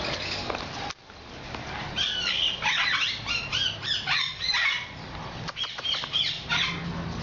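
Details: Hand-tame cockatoo, given as Moluccan or medium sulphur-crested, giving a burst of harsh, harmonic squawks in quick irregular succession, with some flapping-like rustles and steady background noise.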